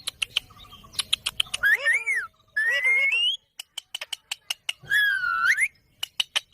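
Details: Green parrot giving loud whistled, bending notes that rise and fall, three long phrases separated by rapid bursts of sharp clicking chirps in a quiet setting.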